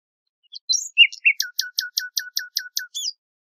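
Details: Nightingale song phrase: scattered high twittering notes, then a fast, steady train of about ten identical sharp clicking notes, roughly four per second, ending with a rising flourish, in clean silence.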